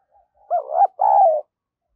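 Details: Spotted dove, a decoy bird, coos vigorously: a short pair of hollow notes followed by a longer, steady, slightly falling coo, clear and close with no background noise.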